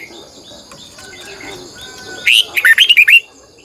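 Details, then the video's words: Morning training song of a Red-whiskered bulbul in the twisting double-voice style: a soft, busy background, then one loud phrase of seven fast, fluty, rolling notes. "Luyện chào mào hót sáng 2020, Giọng kép xoắn dài hót căng, Chào mào mồi gọi bổi hót hay"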